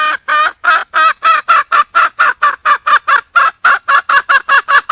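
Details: Junglefowl hen in the wild calling for a mate: a steady run of about nineteen short, nasal, clucking notes, roughly four per second, even in loudness.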